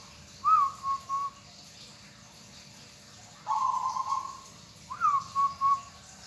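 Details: Local zebra dove, a hobby cage bird, singing a gentle cooing phrase: rising note with two short coos, a long purring trilled coo, then the rising note and three short coos again, over light background hiss.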